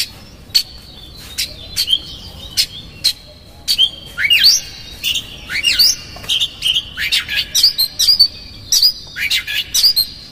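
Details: Oriental magpie-robin singing a lure song in the 'konslet' style with rough fill-ins to provoke another magpie-robin: scattered clear whistles and clicks at first, building into rapid stuttering phrases of sharp squeaky notes in the second half.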